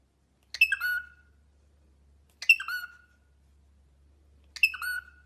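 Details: Pet cockatiel giving three raspy calls about two seconds apart, each starting harsh and falling into a short whistled tone, with a quiet steady hum behind.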